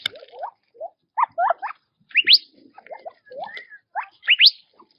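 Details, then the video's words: Quail foraging in their natural habitat give scattered chirps: low quick notes in twos and threes and a few sharp upswept whistles, with quiet gaps between. "Quail Birdsong in Nature - Relaxing Chirping Sounds"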